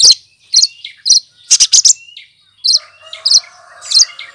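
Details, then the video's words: Lesser green leafbird imitating other birds: quick high chirps, a tight cluster of four fast buzzy notes, then further twittering phrases over a soft lower tone. "Burung Cucak Kinoy!!!Masteran Pintar Menirukan Suara Burung lain"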